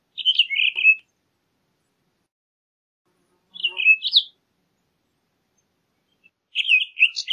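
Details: Townsend's solitaire singing short bursts of fast, twittering warbled notes, each about a second long, separated by pauses of a few seconds.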